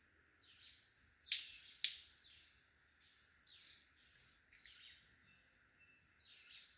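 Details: ['Several male White-collared manakins performing a lekking courtship display at Rancho Naturalista Lodge, Costa Rica; two sharp, loud snaps crack out in quick succession amid high, thin chirping calls repeated through the forest.']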